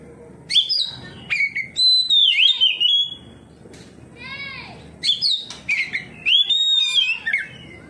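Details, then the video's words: Oriental magpie-robin responding to another magpie-robin with loud whistled song: sliding notes and sharp upward sweeps in bursts, a softer harmonic-rich call in a pause, then more rapid varied whistles. "KACER NGEPLONG KACER LAIN LANGSUNG RESPON NGEPLONG BONGKAR ISIAN"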